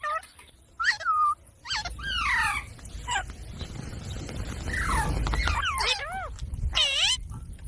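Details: Talking parrot copying human speech: scattered short, voiced, speech-like calls, some dipping and rising in a wavy pattern, over a steady rushing background noise.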